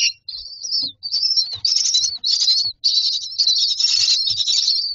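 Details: Young mynas in a nest box begging for food, giving continuous raspy, wheezy high screeches in long overlapping bursts with brief gaps, and occasional soft thumps from movement inside the box.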